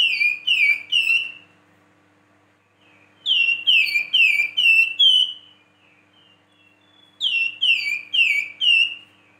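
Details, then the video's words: Vigorous Flamboyan song: three bursts of four to five sharp downslurred whistles each, separated by pauses of about two seconds, with faint soft notes between. "PANCINGAN BURUNG FLAMBOYAN GACOR"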